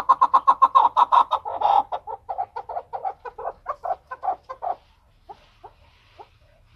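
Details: Chukar partridge, called keklik, recorded in Tajikistan in 2020, giving a loud series of hoarse chuck notes about eight per second that slows, spreads out and fades to a few scattered clucks by the end.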